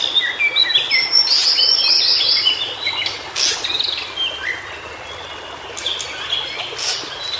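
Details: Wild white-browed shortwing, known in Indonesia as cingcoang biru, heard in native habitat: a loud opening run of quick, high, descending notes, then softer scattered chirps and short phrases over steady background hiss.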